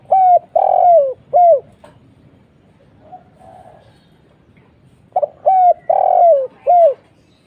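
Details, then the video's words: Spotted dove calling as a lure, two phrases of three hollow coos with long falling middle notes, separated by a pause in which faint distant coos answer. "suara burung tekukur kuk 1"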